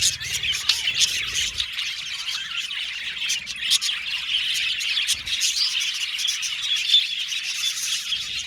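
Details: Budgerigars in an aviary colony sing and chirp together, a dense continuous chatter of overlapping high twitters, warbles and sharp tweets with no pauses, a few low thumps at the start.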